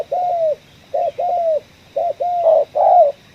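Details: Spotted dove from a coffee-field trapping outing, ngeruk kuk 1 call. Short series of coos, each a quick note and then a longer falling note, ending in a louder, fuller phrase.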